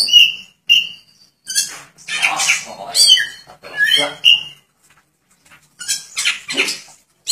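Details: Oriental magpie-robin, a lively singing bird, spreading its tail wide: loud clear whistled notes near the start, then bursts of harsh scratchy phrases and varied chattering, separated by short pauses.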